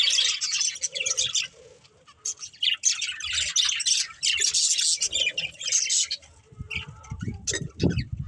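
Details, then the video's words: Budgies at play and feeding produce loud bursts of squawky, high chatter separated by brief lulls, with a few isolated chirps and low rustling thumps near the end. "Cute Budgies Chirping Sounds"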